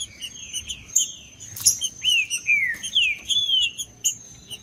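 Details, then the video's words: Green-winged saltator, a male in macheando mode, singing to warm up and provoke other birds: a run of loud slurred whistles, several sliding downward, mixed with short high chirps over a steady thin high whine. "Trinca ferro cantando Para Esquentar Trinca ferro"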